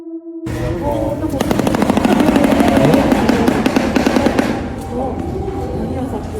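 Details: A Shoebill (Balaeniceps rex) clatters its bill in a rapid, hollow, machine-gun-like rattle lasting about three seconds, with a voice and background music over it.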